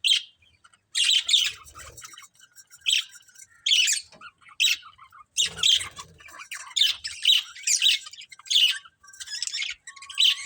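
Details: Breeding pair of budgerigars giving short, separate squawky chirps, about a dozen sharp harsh bursts spaced roughly half a second to a second apart, with quiet gaps between.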